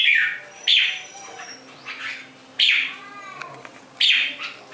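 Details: Red-whiskered bulbul singing three loud, clear bursts spaced nearly two seconds apart, each a sharp high onset falling away, with softer notes between.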